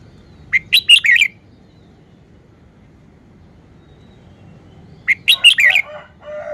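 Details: Red-whiskered bulbul showing off its song phrasing: two short bursts of four or five bright, warbled notes, about four seconds apart, over a quiet low background hum.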